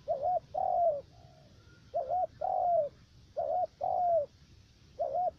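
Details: Three-note spotted dove used as a lure for trapping in U Minh, Cà Mau, Vietnam: steady rhythm of wavering short coos each answered by a longer descending coo, four phrases in a row.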